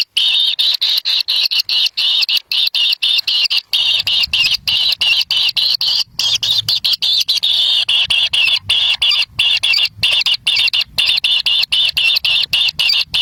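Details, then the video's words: Kingfisher nestlings begging as a parent feeds them a black lizard in the wild. A long, nearly continuous stream of rapid, raspy high buzzes is broken by brief gaps. Faint low rumbling joins partway through. "Kadal Hitam Jadi Rebutan Bayi Burung Kingfiser"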